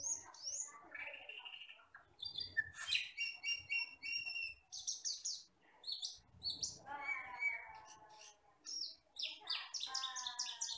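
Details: Wild-living Asian glossy starling, black with red eyes, recorded as tutor material for songbirds: long busy chatter of high twittering chirps, buzzy trills and descending nasal notes, in bursts separated by short pauses.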